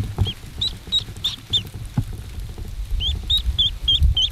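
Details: A mallard duckling, just hatching, gives high, thin peeps in two quick bursts, about ten in four seconds, over soft low bumping and rustling.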